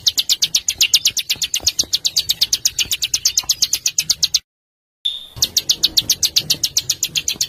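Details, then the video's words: Master song of a small songbird for training caged birds: a long fast rattle of high, sharp downslurred notes, a brief silence, one clear whistle, then the rattle resumes. "Suara Masteran Burcil Besetan Kasar"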